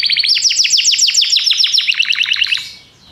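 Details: Belgian canary song made of one continuous, very rapid trill of bright descending sweeps. It lasts nearly three seconds, then fades into quiet.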